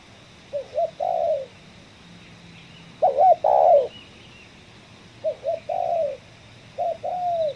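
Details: Spotted dove heard during a trapping session in a coffee field, calling in the ngeruk style with kuk 1. Soft two-part coos come in spaced bursts, each a short note and then a longer falling note, separated by quiet gaps.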